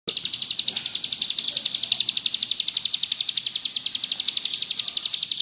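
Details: Bar-winged prinia (ciblek gunung) singing vigorously in the ngebrem style, offered as a master song for tutoring birds: a long, steady high trill of sharp, buzzy pulses, about four per second, that never pauses.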